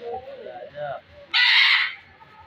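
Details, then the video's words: A pair of red macaws; one gives a single loud, harsh, raspy squawk lasting over half a second, after softer low murmuring sounds. "Red macaw parrots pair"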